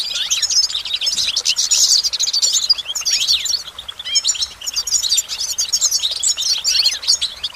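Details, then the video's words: Goldfinch delivering a lively, nonstop twittering song of high tinkling notes, fast trills and short sliding chirps, busy and varied throughout, with faint background hiss. "Goldfinch Motivation Performance"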